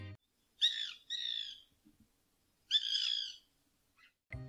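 White Woodpecker giving harsh, nasal, rasping notes in short bursts, with a brief thump at the end.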